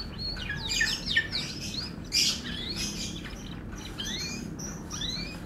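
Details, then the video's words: Sweet song of an F1 canary: fast twittering phrases and upward-slurred whistles, one louder burst midway, with light hiss underneath. "KICAU MERDU KENARI F1"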